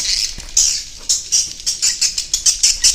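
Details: Swiftlet sounds recorded to lure swiftlets into roosting: a rapid series of short, rasping high chirps, about ten in three seconds. The chirps come faster and more evenly toward the end.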